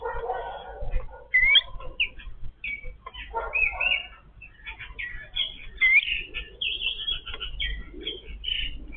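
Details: Yellow-billed babblers feeding as a family give a steady stream of high squeaky chirps and rising whistled notes. Faint low rustling runs underneath.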